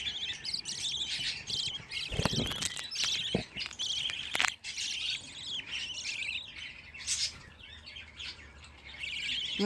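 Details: Budgerigar chicks, fifteen together, twitter and chirp busily in high scratchy notes, broken by a few sharp knocks and handling noises, with a woman's voice starting at the end.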